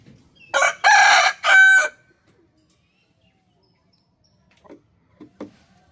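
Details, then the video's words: Rooster crowing: one loud, harsh, harmonic-rich crow of about one and a half seconds in three joined parts. The last part is held and steadier. A few faint short clucks follow after a pause in otherwise quiet surroundings. "Amazing Rooster Crowing Compilation"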